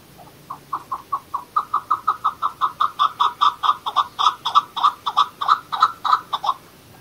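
A chukar gives a long run of harsh, clucking chuck notes, about three a second, swelling louder and slightly quicker before stopping abruptly.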